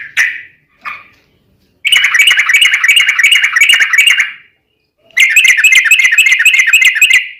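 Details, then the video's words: Sooty-headed bulbul in long ropel gacor song, used as a lure to make other bulbuls sing. Two short chirps, then two extended rapid bubbling trills of several seconds each, separated by a brief silence. "trucukan gacor ROPEL PANJANG"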